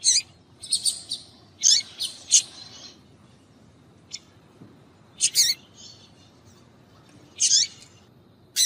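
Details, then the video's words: Female Double-collared seedeater calling to excite males: short, bright, high chirps in scattered clusters every second or two, separated by quiet gaps. "Fêmea de Papa capim piadeira para Foguear Papa capim"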